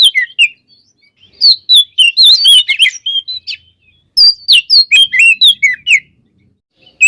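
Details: White-rumped shama in full, vigorous song rich in varied fill-in phrases, played to provoke other shamas into singing: loud, clear whistled notes with sweeping rising and falling slurs, delivered in two dense bursts separated by a short pause.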